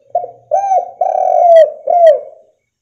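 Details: Spotted dove cooing to provoke other doves into calling. A short clipped note, then a rounded coo, a long drawn coo and a final downslurred coo, all low and husky, in a quiet setting.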